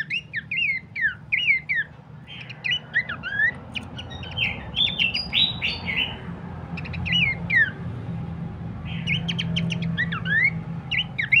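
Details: Horsfield's babbler song for luring and training birds: repeated groups of looping whistles broken by chattering buzzy bursts and sharp ticks, continuing steadily over a faint low background rumble.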